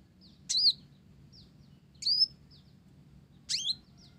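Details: Olive-backed sunbird, blorok (mottled) form, in full voice with a Java sparrow-influenced repertoire: three loud, shrill, falling chirps about one and a half seconds apart, with faint high ticks between.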